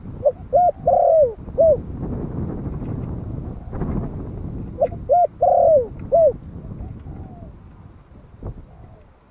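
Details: Spotted dove of the Malai type, one year old, cooing to attract wild doves. Two deep, hollow phrases about four seconds apart, each ending in a drawn-out downslurred coo and a short final note, over steady wind-like noise.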